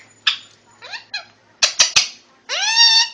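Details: Young Indian ringneck parakeet, barely a year old and just starting to talk, gives a few short harsh notes, three sharp clicks, then a drawn-out buzzy squawk with rich harmonics.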